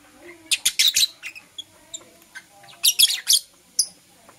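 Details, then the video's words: Blue Opaline and Parblue Euwing Opaline lovebirds in the morning: two clusters of sharp, high chirps in quick bursts, a pause between them, then one final short chirp. "Lovebird Chirping Sounds"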